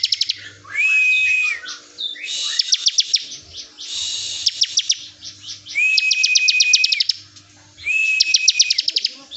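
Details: Prinia tutor song, bren style: buzzy phrases mixing fast tick-like pulses and a flat sustained whistle, about five phrases with short silences between.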